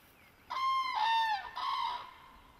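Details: Common crane (Grus grus) at its nest with eggs and chicks beside a small pond. It gives a loud, rich trumpeting call in two bursts: a long ringing note that dips slightly at the end, then a shorter second note after a brief pause.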